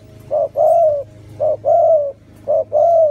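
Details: A pet spotted dove gives soft, low cooing phrases, a short note then a longer drawn-out coo, repeated three times about a second apart, against a faint background hum.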